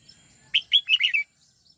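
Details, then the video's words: Red-whiskered bulbul in song training, '89 xoắn tít' style: five distinct, liquid whistled notes in a fast, bouncing phrase, the later notes run together, then silence. "Luyện chào mào hót giọng 89 xoắn tít nghe cực phê"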